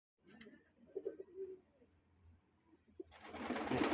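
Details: Rajshahi Giribaz pigeons, a colour-matched group, kept indoors; low soft cooing pulses in the first second and a half, then quiet, then a rising burst of loud rustling noise near the end.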